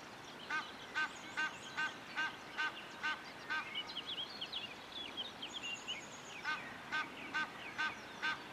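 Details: Egyptian goose calling on the Moselle in Rhineland-Palatinate, Germany: a rapid series of nasal, honking notes about two per second, pausing midway while other small birds chirp and whistle in the background.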